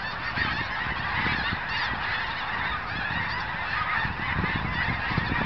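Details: Huge flock of migrating geese near Crestline, Kansas, by an old cemetery on 14 January 2011: a dense, continuous wall of overlapping honks from countless birds, steady throughout, with low wind rumble beneath.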